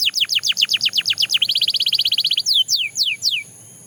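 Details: Belgian canary in song: a run of sharp descending whistles, then a fast buzzy trill, ending in three slower downward-slurred whistles before falling silent.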